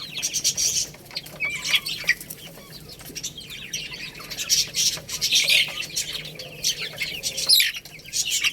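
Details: Chicks eating rice, continuous overlapping high-pitched chirping from many birds, swelling and fading in waves, with scattered pecking clicks.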